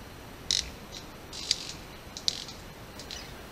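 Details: Male manakin courtship display at a forest lek: sharp, dry, high wing snaps, three or four spaced about a second apart, made while jumping back and forth over a cleared patch before females, over a faint forest hiss.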